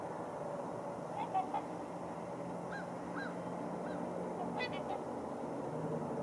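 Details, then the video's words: Several trumpeter swans packed into a water hole, calling with brief nasal honks and short upslurred notes spread across a few seconds, against low steady background noise. "Trumpeter Swans in crowded water hole"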